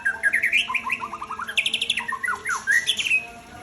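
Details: Aceh-type white-rumped shama kept as breeding stock, giving a rich, varied song of rapid rising whistles and chattering phrases that alternate between higher and lower pitches in quick bursts.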